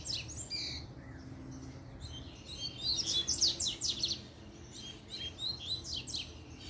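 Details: Fight-challenging puxada song from a double-collared seedeater. Thin whistles open the phrase, then a loud tumble of rapid, descending high notes around the middle, and a further chattering run near the end.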